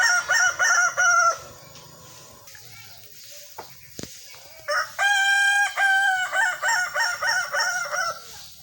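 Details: Kukuak Balenggek rooster crowing in a sparring contest: loud pulsed opening bursts, a pause with clicks, then a powerful harmonic crow trailing into a long run of evenly spaced, descending stepped syllables.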